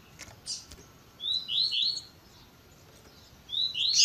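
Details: Double-collared seedeater, tui tui zel zel style, with a female's calling edited to stimulate males: a soft high chip, then three clear, falling, slurred whistles, and a final pair of louder down-slurred notes.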